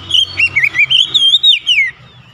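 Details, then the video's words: Untrained kacer (Oriental magpie-robin) singing in 'gacor' style: a rapid string of about eight clear whistled phrases, each swooping up and down, the last falling away, over a low steady background hum. "SUARA GACOR KACER BAHAN"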